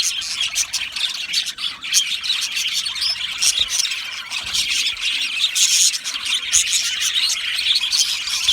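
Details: Many budgies chattering together in an aviary, a busy wall of high chirps, warbles and short squawks overlapping without pause.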